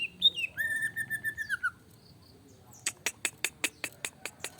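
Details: Greater green leafbird in an emotional, provoked singing bout. A long, sliding, drawn-out whistle with small wavers ends abruptly. After a short silence, a fast burst of sharp, snapping clicks follows.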